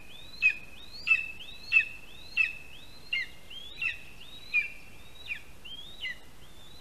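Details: Lesser spotted eagle chick in a nest in a spruce in Latvia, fed by its father on a July morning in 2021; a steady run of ten shrill, rising-then-flat whistles, roughly one every 0.65 seconds.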